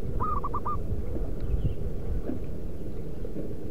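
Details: Wild local zebra dove giving one lure call, a tight burst of four soft hooting notes right at the start, then only low rumbling background noise and faint clicks.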